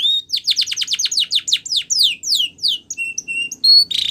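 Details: Spanish Timbrado canary singing a training song: a rapid trill of about fifteen descending whistled sweeps, then slower downward slurs and short level piping notes, ending in a brief buzzy burst, clear and close.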